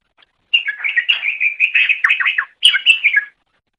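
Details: Greater green leafbird song used as a master recording to teach other birds: a rapid, continuous run of bright warbling chirps and slurred whistles around the upper-middle range, pausing briefly before a final short burst; clean background.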